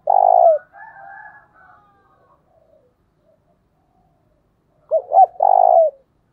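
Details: Spotted dove cooing intensely, a recording used to draw wild doves into answering. A long low falling coo opens, faint wavering calls follow, then after a pause two short hooting notes lead into another drawn-out coo.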